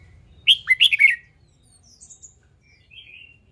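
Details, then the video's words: Red-whiskered bulbul in training for competition singing: a quick burst of five bright, warbled whistled notes lasting under a second, followed by faint, softer high chirps and low background hum. "LUYỆN CHÀO MÀO HÓT ĐẤU/ BỔI NHANH MỞ MỎ SỔ GIỌNG/ CHÀO MÀO HÓT VUI MỖI NGÀY"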